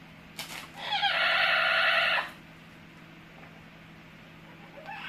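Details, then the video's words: A pet Amazon parrot gives one drawn-out, coarse, buzzy screech of about a second and a half, preceded by a short click, followed by quiet hum and a faint rising note at the close. "My Amazon parrot Hecko is making funny noises"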